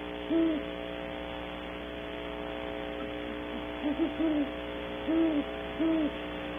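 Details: A pair of great horned owls visiting a tree cavity early in the morning at Audubon Starr Ranch, California: low soft hoots in short groups of two to three, over a steady electrical hum.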